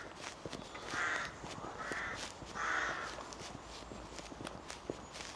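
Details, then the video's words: Rooks calling from a rookery shared with herons at the Britford heronry near Salisbury, Wiltshire, UK: harsh cawing bursts, three prominent ones about a second apart, with footsteps and light clicks around them. "You can hear the rooks."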